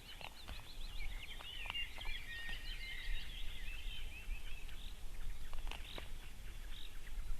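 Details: Osprey at a nest in Võrumaa, South Estonia, in 2021: a dense run of short, sharp, high chirped whistles, overlapping and repeated rapidly for about five seconds, then fading to scattered notes over a steady low rumble.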